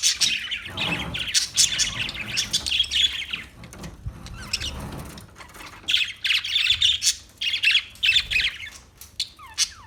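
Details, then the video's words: Parakeet chirping: bright, high twittering chatter in busy bursts, a long run for three seconds, a pause with softer noise, then more scattered chirps and short squeaks toward the end. "Birds Parakeet Sounds Parrot Chirping Sounds"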